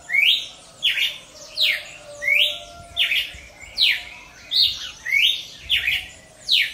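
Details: Cardinal singing in the wild: a short, bright, upward-slurred note repeated about every three-quarters of a second, roughly nine times, over a steady low hiss of background noise.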